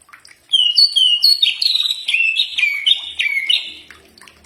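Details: Common iora song, a training recording that birds answer. Paired high whistles lead into a run of rapidly repeated, slurred notes that dip and rise, about three seconds long.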